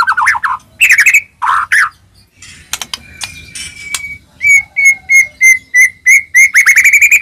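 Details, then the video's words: White-rumped shama song used as a lure to provoke other shamas into singing: loud, varied whistled phrases, a quiet pause, then a rapid series of clear, even notes repeated about three times a second. "murai batu gacor, AMPUH buat pancingan murai batu agar bunyi"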